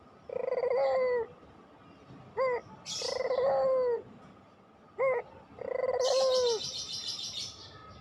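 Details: Puter pelung coos in a regular rhythm, each long level coo falling slightly at its end and followed by a short sharp note. Bursts of bright twittering from other birds come in at times.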